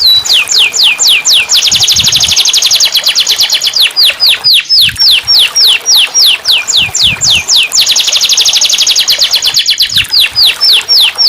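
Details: Loud, sustained canary song meant to prompt silent canaries to sing: repeated cycles of fast descending sweeps and dense rattling trills, roughly four notes per second, without pause.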